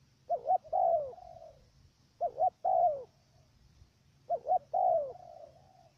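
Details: Stuttering coo of a decoy dove in Cà Mau, Vietnam, kept to lure wild doves into a trap: a pair of short hiccuping notes followed by a drawn-out descending coo with a trailing tail, sung three times roughly every two seconds.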